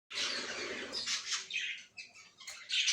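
English budgerigar chatter: a dense, scratchy warble for a second, then a run of short high chirps and squeaky notes, indoors.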